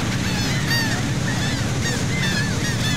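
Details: Gulls near Saint Martin, Cox's Bazar, Bangladesh, heard from a sea boat: a few clear, drawn-out arched cries among overlapping calls, over a loud, steady engine drone.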